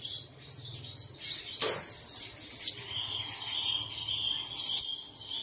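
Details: Bird song, played in the early morning to prompt caged birds to sing: rapid high, thin chirps and twittering notes running continuously, with a few sharp clicks and a faint low hum underneath.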